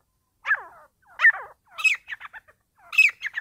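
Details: Partridge during a fight: loud harsh calls with layered harmonics, a descending note followed by a burst of short clipped notes, then another rising-and-falling call and quick chatter, with no background noise.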